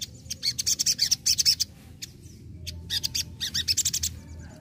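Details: Busy, hurried sogon song made of dense clusters of high, buzzy, slurred notes in quick succession, with a short pause midway, over a low rumbling background.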